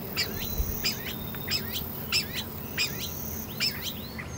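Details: Quail in Texas giving a series of short, sharp calls that repeat about every two-thirds of a second, each note quickly dropping then hooking upward, over a steady low rural hum and a thin high whine.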